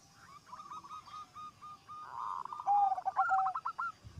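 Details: Zebra dove singing vigorously, a song said to set other zebra doves singing along: a run of short cooing notes near one pitch, then a louder low drawn-out whistle and a quick rolling trill.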